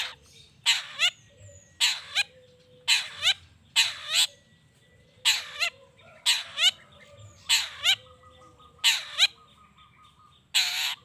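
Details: Long-tailed shrike lure recording meant to provoke other shrikes into answering: loud, harsh, rasping bursts, often doubled, repeated about every second, with faint thin whistles and low background hum between them.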